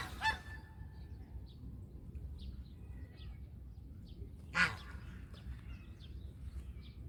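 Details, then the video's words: Domestic goose giving two brief honks about four seconds apart, with faint chirps and a steady low rumble in between. "Country goose call"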